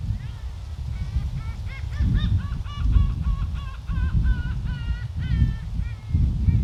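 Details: Gulls calling at the seaside walkway of Oepo Port on Ganghwa Island, South Korea, on a windy day: a dense run of short, nasal, harmonic cries, several birds overlapping in quick succession, over a steady low roar of wind.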